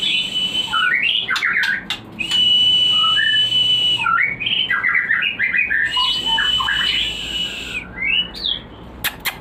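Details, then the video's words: White-rumped shama song used as a lure to stimulate breeding and arousal. Bursts of quick, varied whistled and chattering notes fall between long, steady, high whistle tones that each last about two seconds. A few sharp clicks come near the end. "Pancingan untuk burung Murai Batu Breeding / menaikkan birahi"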